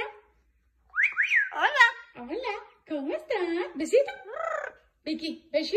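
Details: Pet Amazon parrot crying after being bathed, indoors in a small room; wavering, whining harmonic cries that rise and fall in short bursts, with gaps of silence and faint human voices nearby.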